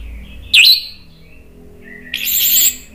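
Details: Brief lure song of an agitated orange-headed thrush: one sharp looping note, a faint low whistle, then a sustained bright, rich phrase.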